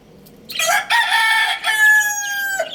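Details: Rooster crowing, with a rooster and hen jumping about: one loud harmonic crow that starts abruptly, runs through several joined segments and ends on a long, level, drawn-out note, with nothing else heard.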